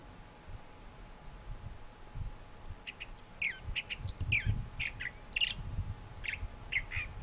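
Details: Song of a thrasher, starting after a quiet stretch of about three seconds, then short varied phrases of slurred whistles and chips, evenly spaced, with low rumbling noise underneath.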